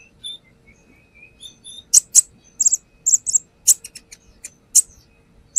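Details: Brown-throated sunbird lure song starting with soft thin whistles, then loud sharp high chips and doubled notes in quick irregular bursts.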